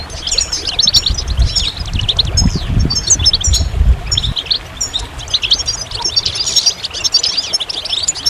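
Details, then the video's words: Goldfinch song: a rapid stream of bright, tinkling chirps and short trills, with a deep rumbling noise through the first half. "Magical Goldfinch Songs"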